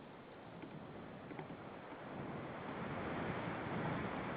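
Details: Steady wind-like rushing and rustling noise that slowly grows louder, with no clear animal call heard.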